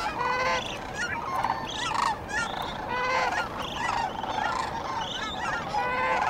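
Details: Many sandhill cranes calling at dawn along the Cosumnes River, a dense stream of rolling, trumpet-like bugles and short rising notes layered over one another without pause.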